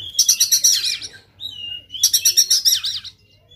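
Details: Oriental magpie-robin of the Sumatran type, fighting with tail spread, giving two rapid chattering runs of buzzy, pulsed notes joined by a smooth descending whistle.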